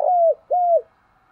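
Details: Decoy spotted dove used to draw in wild birds, giving two clear, steady mid-pitched coos, each held about a third of a second and dropping at the end, with a brief pause between them.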